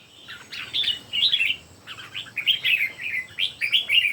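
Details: Red-whiskered bulbuls, three birds singing in competition: clear phrases of rising and falling whistles roughly each second, bright and musical, overlapping slightly.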